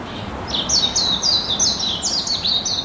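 Budgerigar chirping in a quick series of high, bright, slurred notes.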